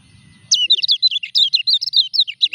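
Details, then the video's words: Kecial kuning in a cage during moult: after a low rumble, a sudden energetic string of high, rapid chirping notes follows, repeated quickly for about two seconds. "KECIAL KUNING NGURAK TETAP EKSIS"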